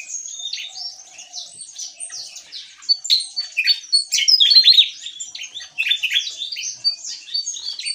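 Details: Javan tesia in full gacor ngeplong song: a continuous scramble of high, sharp chirps and quick whistled slurs that builds to a loud, dense peak midway before easing slightly.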